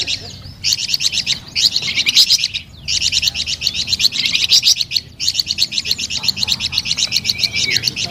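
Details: Flamboyan bird singing three long runs of rapid, high trilled chirps, divided by two short pauses, with a steady pulse throughout.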